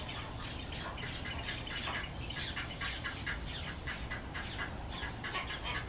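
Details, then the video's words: Cattle egrets with their chicks give busy, scratchy chattering in quick irregular bursts, with a dense run of calls in the first two seconds, set against steady low-pitched background rumble. "Cattle Egret w Chicks"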